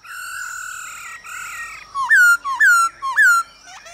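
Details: Male hwamei singing alongside female calls that stimulate him, a recording meant for training birds to sing: long steady whistles, then three loud clear notes that jump up sharply and slide down, spaced about half a second apart.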